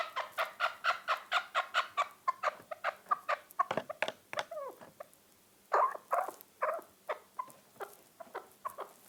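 A chukar partridge gives rapid, harsh clucking chuk notes, about two per second, building into a rhythmic run with a few louder, rougher bursts.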